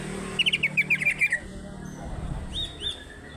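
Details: Greater green leafbird from Alas Purwo, Banyuwangi; a quick run of about eight clear descending whistled notes in one second, then a pause and two higher slurred whistles against a faint hum.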